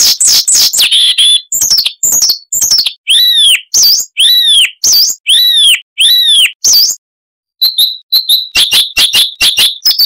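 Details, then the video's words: Siberian rubythroat (Luscinia calliope) song, a masteran training recording: varied chattering phrases, then a run of arched whistled notes repeated about every half second, a short pause, and quick sharp high chips. "Masteran Burung Luar Negeri Suara Unik Asli HD AUDIO - Siberian Rubythroat (Luscinia calliope)"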